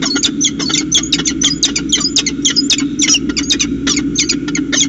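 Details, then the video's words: Calls passed between peregrine falcons at a nest in Orange, New South Wales, 25 July 2019: continuous rapid chatter of sharp, rasping chips and brief shrill squeals, densely packed and irregular, with a steady low hum underneath. "Peregrine Falcons Orange CSU NSW, Conversation"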